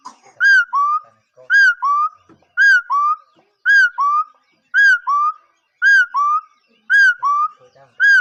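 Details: Bird giving a loud whistled call in two parts, a falling note then a rising one, repeated about once a second in a steady series, with harmonics above and a quiet indoor background.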